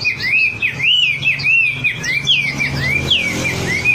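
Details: Wambi singing in a recording meant to stimulate other birds: a rapid series of looping, rising-and-falling whistled notes repeated in a bouncing rhythm, with higher twitters near the end and a low background hum.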